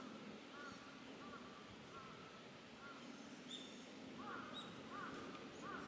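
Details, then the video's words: Male Eurasian bullfinch, filmed 21 January 2020: soft, low piping whistles repeated at intervals, then clearer downslurred notes near the end, with thin higher chirps from other birds in the background. "ウソ(Buiifinch) 鷽♂"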